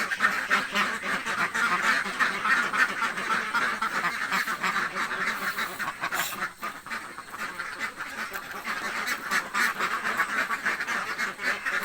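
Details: Ducks in a village, very hungry, quack in a rough, overlapping din, with a brief lull midway before the chorus builds again.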